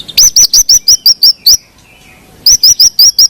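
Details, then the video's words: White-rumped shama (murai batu) song for coaxing lazy birds to sing; about eight sharp upslurred high chips in quick sequence, a one-second pause, then six more. "PANCING MURAI MALAS BUNYI"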